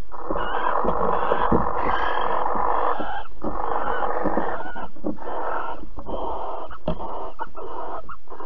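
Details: Barn owl at Alphen on 22 April 2020 at 21:37, during mating and cuddling: a long, harsh, wheezy hissing that runs almost without pause across eight seconds, broken by short gaps and faint clicks.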